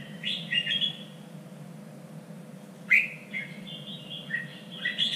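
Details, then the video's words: Red-whiskered bulbul song used for training birds for singing contests, in a standard style of Vietnam's three regions: a few short whistled phrases around two to four kilohertz, separated by quiet gaps over a steady low hum. "LUYỆN CHÀO MÀO ĐẤU || GIỌNG CHUẨN 3 MIỀN"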